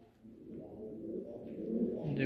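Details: Low, throaty cooing from hobby fancy pigeons of a Saudi Arabian breed in Noakhali, starting quietly and growing louder and fuller toward the end, with a faint rustle.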